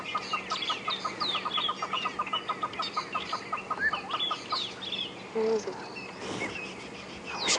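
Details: Hornbills chatter in rapid repeated clucks on a morning drive at Djuma Game Reserve, 10 March 2016, after rain, amid alarm calls as squirrels, drongos and francolins react to an unseen threat (possibly a raptor or snake); other birds, brief voice.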